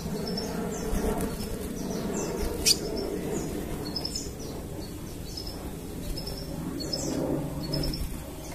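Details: Scarlet minivet (sepah raja), a recording used as a lure: a busy run of short, high chirps and thin upslurred notes, several each second. A steady low rumbling background noise runs throughout.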